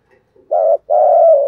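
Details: Spotted dove cooing in the thúc gù giọng thổ style, used to lure wild doves: a short low hooting note, then a longer steady coo, both mid-pitched and clean over silence.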